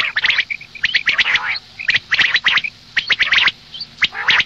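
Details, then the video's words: Female common quail calls for the morning: clusters of short, harsh, broadband clicking notes in quick bursts, with soft high chirp dots between the bursts. "Madi batair ki awaz suba ke liye مادی بٹیر کی آواز"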